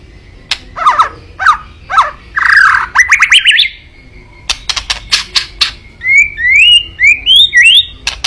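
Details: Kretekan song of a white-rumped shama, used to stir up a rival: it opens with harsh, buzzy squawks and rapid rattling notes, then dense crackling clicks, then ends in a series of bright, upslurred whistles.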